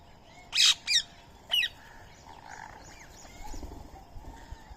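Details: Feeding-time Indian ringneck parrot eating soaked rice and corn beside a squirrel gives three loud, grating screeches in quick succession, followed by faint chirps and whistles from other birds.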